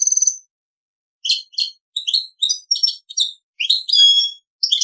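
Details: Goldfinch × canary hybrid in Servati royal song style, giving clipped high chirps and short buzzy trills in separate bursts, ending in longer whistled, rising-and-falling notes.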